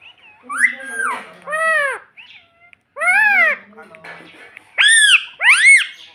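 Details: Talking pet parrot indoors saying "mummy": arching, high syllables that rise and fall, mixed with softer babbling and a low human voice between calls.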